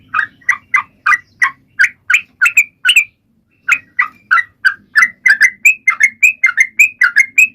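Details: Sooty-headed bulbul singing to encourage other birds to join in: burry, slightly harsher notes at first, a short silence, then quickening clear whistled phrases alternating low and rising tones, over faint low hum.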